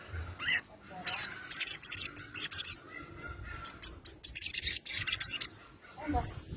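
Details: Sogon, a lure recording meant to provoke a rival into answering: bursts of loud, harsh, buzzy high notes in two rapid repeated runs, with a faint whistled tone beneath and a short rising call at the start.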